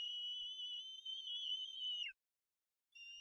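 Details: Bald eagle eaglets at the Harrison Bay nest, self-feeding siblings, crying as a parent brings food, on 18 May 2015; a sustained high thin whistle holding steady about two seconds, then sliding down, followed after a pause by another whistle starting.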